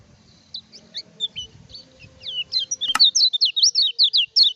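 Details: Lively lemon-bellied white-eye song meant to rouse rival birds and tutor others: soft high chirps accelerating into a dense, loud string of wavering whistled notes, with one sharp click midway.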